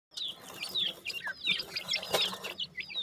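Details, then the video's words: Partridge chicks in Pakistan, several calling together: thin, high downslurred peeps overlap in a busy stream at about one and a half per second, with brief clicks and rustling beneath. "partridge babies"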